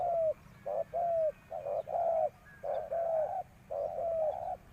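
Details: Lure spotted dove calling to draw in wild doves, with closely spaced paired coos, a quick short note running into a longer falling one, repeated about four times over a quiet backdrop.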